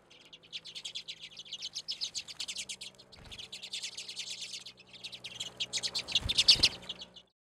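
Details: Several redpolls at a winter seed feeder in Anchorage, Alaska, photographed in February from a back deck; bursts of quick, high zapping chirps run together into rattles and trills, pausing briefly before rising again, with a couple of soft knocks near the end.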